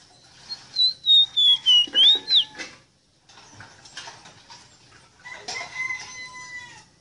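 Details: Ruddy-breasted seedeater, known locally as rosita or meriño, in a tutor song for training caged birds to sing: a run of six loud, evenly spaced whistled notes curving down then up, followed by softer scratchy notes and thin trailing whistles.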